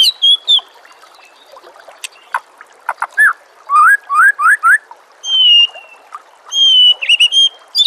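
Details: White-rumped shama song for training other birds: varied notes, with a run of four rising slurred whistles in the middle and long, steady high whistles near the end.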